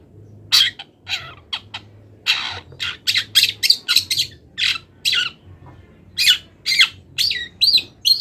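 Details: Full-isian masteran song of a moulting long-tailed shrike, mixing imitations of wild birds: a busy run of varied harsh chips and squawks, some rising, delivered rapidly with uneven spacing and a faint low hum beneath.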